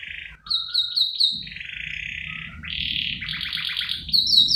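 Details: Canary song used as a lure and master recording, said to be a female luring the male, in busy gacor style with cengkok isian phrasing: fast chirped notes, then a buzzy roll and pulsing trills, with a low rumble underneath.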